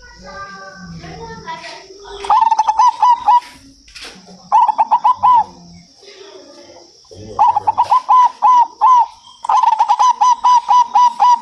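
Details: Local zebra dove singing, used to prompt other doves to sing: bursts of rapid, staccato mid-pitched cooing notes, each run of five to eight notes separated by short pauses, with faint low murmurs and a steady high hum in between.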